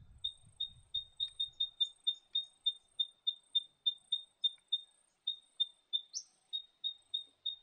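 An Eastern spinebill gives a long run of high, thin piping notes, about three a second, with a brief low rumble at the start.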